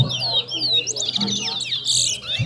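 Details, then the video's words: Competition singing from a towa towa (chestnut-bellied seed finch): a short run of high, sweeping whistled notes ending in a buzzy chatter, with a low hum and music underneath. "TOWA TOWA BIRD SINGING COMPETITION"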